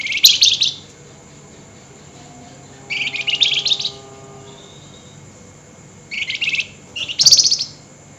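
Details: Flameback, called flamboyan, calling agitatedly at night in a rapid chattering style: four dry, buzzy bursts of fast notes under a second each, spaced a few seconds apart, with faint steady hum behind.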